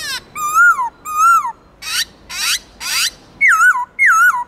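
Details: Black-throated laughingthrush singing a many-voiced forest-style song used to stimulate and train captive birds: clear whistled notes with rich overtones, gently arching and wavering, broken by raspy buzzy bursts, in separate phrases about half a second apart.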